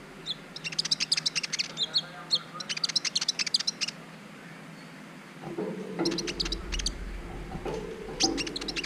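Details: Brown-throated sunbird, a training recording meant to teach other birds and trigger their mating urge: rapid bursts of sharp, high chirps in quick clusters for about four seconds, then sparse high notes over a low rumbling hum.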